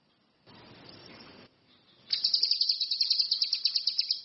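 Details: Orange-headed thrush singing vigorously: a patch of soft hiss, then a quick, high, scratchy trill of evenly pulsed notes, about three per second, running to the end.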